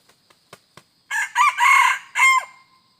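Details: Red junglefowl lured with a decoy on 2 November 2021: four quick wing claps, then a loud, harsh four-part crow, the long middle phrase held and the last note trailing off, with faint insect hiss behind.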